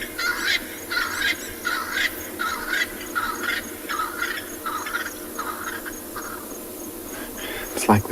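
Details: Double-banded sandgrouse coming in to drink at sunset, 4 August 2020, Tswalu Kalahari Reserve, South Africa: about a dozen nasal, slightly honking notes, roughly one every 0.7 seconds, over a low rumble, with a sharp knock at the end.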